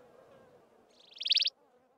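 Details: Browner maculatus subspecies of wailing cisticola at Mountain Zebra National Park, giving one brief high buzzy trill that rises in volume and stops sharply, over a low background hum.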